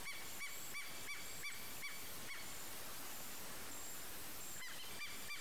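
Savanna hawk calling a quick series of about seven harsh, nasal notes, two or three per second, then two more after a pause, over steady low rumbling.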